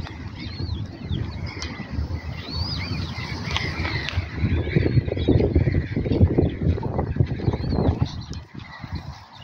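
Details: Coots calling: a run of short, arched, nasal honking notes from several overlapping birds over a steady loud low rumble.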